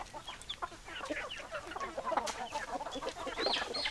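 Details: Domestic hens clucking in a busy flock: many short, overlapping clucks and squawks crowd together throughout, some higher, sharper notes near the end, with a steady background hiss.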